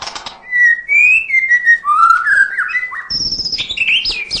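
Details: Murai batu, the white-rumped shama, in full 'isian' song to provoke lazy singers: long level whistles, then rising slurred phrases, ending in high repeated notes over light background clatter.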